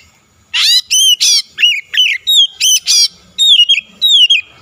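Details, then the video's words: Oriental magpie-robin lure song aimed at a rival, opening with harsh grating notes then continuing in clear whistled slurs, about a dozen loud phrases in quick sequence. "PANCINGAN KACER LAWAN LANGSUNG BUKA SUARA GACOR"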